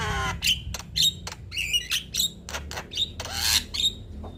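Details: Male Javan myna sings in loud, scratchy bursts spaced about half a second apart, with short high whistles tucked into the noisy notes and a low background drone.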